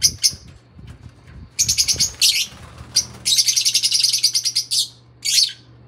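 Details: Singing Fischer's lovebirds: scattered shrill squeaks, then long bursts of rapid, harsh, high-pitched chattering notes repeated in quick pulses, with short sharp squeaks between and a steady low hum in the background.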